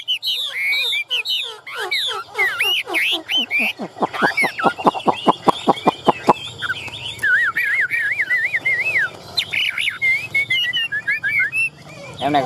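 A Chinese hwamei sings loudly and richly: quick sliding notes, then a steady run of about a dozen sharp repeated notes, then looping fluty whistles. Faint voices behind.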